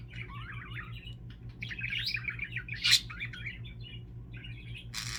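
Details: Pet budgerigar indoors, one of several kept together, giving a fast scratchy warble of chirps and squeaks, with a louder burst near the three-second mark and a sharp click at the end, over a steady low electrical hum.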